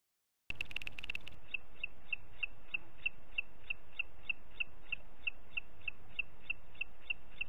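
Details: In Parc Natural dels Ports on 30 June 2021 at 11:01, a booted eagle gives a long series of roughly twenty clipped, high-pitched notes, a quick burst first, then evenly repeated about three per second, with low steady background noise.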